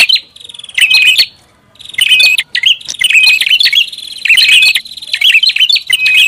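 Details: Loud prinia lure call: scratchy chatter with whistled notes, delivered in bursts of about a second with brief pauses, about six bursts.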